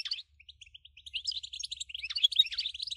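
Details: Goldfinch 'batbata' song intended to set other goldfinches singing; a continuous stream of rapid high chips building into dense, buzzy twittering, with a faint low hum beneath.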